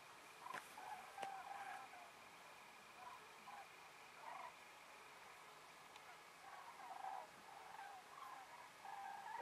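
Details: Common cranes flying after sunset to their roost on Ummanz island, western Rügen, Germany, over 20,000 birds present, at dusk and at a distance. Faint repeated trumpeting calls come and go throughout, with a brief human voice.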